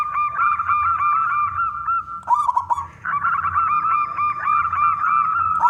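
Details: Local zebra dove with a big voice singing persistently, used to lure other doves into song; rapid repeated cooing notes at a steady pitch, several birds overlapping, with a short break near the middle before the chorus resumes.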